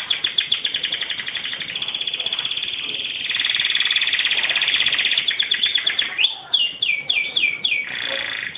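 A canary sings a fast, bright run of repeated high trills, breaking into rolling chirps and sliding whistles near the end, over a faint steady hiss.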